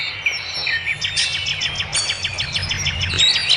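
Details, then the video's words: Birds singing in the wild: a busy, overlapping chorus of rapid high chirps and twittering trills, many notes a second, over a low rumble of background noise. "Suara kicau burung di alam"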